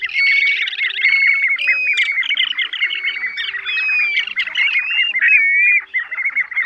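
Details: Plovers of several kinds calling together in a trapping lure for night netting: a busy, overlapping chatter of quick high chirps and clipped whistles, with occasional drawn-out upslurred whistles above the main flurry.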